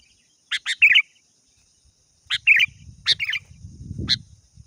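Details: Sooty-headed bulbul calling a rival, short bursts of two or three sharp, bubbly chirping notes spaced a second or more apart, with low rumbling noise toward the end.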